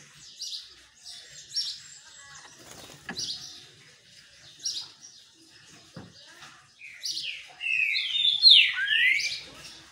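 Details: Sun-bathing green-winged saltator in captivity: soft chips and short notes at first, then a loud tangle of rapid whistled slurs toward the end.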